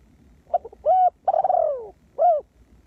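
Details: Decoy spotted dove luring wild doves with one full coo phrase: brief soft notes, a steady coo, a long descending quavering coo and a closing arched coo, against low rumbling background noise.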